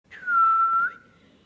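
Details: A pet cockatiel singing along with its owner gives one long, clear whistle that slides down, holds steady, then flicks upward at the end.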